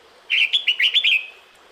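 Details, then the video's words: Female red-whiskered bulbul calling to the male in the breeding season: one quick burst of about six bright, chirpy whistled notes that rise and fall, run together over roughly a second, with no other sounds. "Tiếng Chào Mào Mái Gọi Trống Mùa Sinh Sản"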